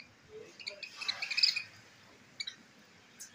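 A parrot gives a burst of harsh, raspy, high screeches lasting about half a second, then two brief sharp squawks.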